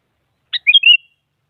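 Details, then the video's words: A lone sooty-headed bulbul phrase, intended to challenge a rival and get a quiet bird singing: a sharp lead note, then a three-part fluty, gurgling whistle stepping up and settling, lasting roughly half a second. "Suara Burung Kutilang Mengajak Lawan Agar Bunyi Bikin Kutilang Diam Semangat Berbunyi"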